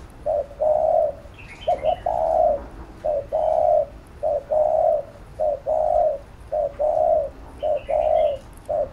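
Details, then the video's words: Spotted dove urgently cooing ('thúc gù') to rouse a lure bird and train decoy doves: steady series of short coo phrases, roughly one per second, each a quick note then a longer soft coo, with faint high chirps behind. "Cu Gáy THÚC GÙ Siết Bổi Đẳng Cấp/ Kích Mồi Tập Bổi Căng Đét"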